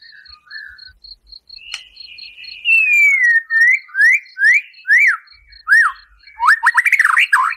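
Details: A white-rumped shama's rough 'tembakan' song, used as bait to stir a captive shama: a long sliding whistle, then a series of rising and arched whistles, ending in a fast loud burst, with soft high ticking underneath.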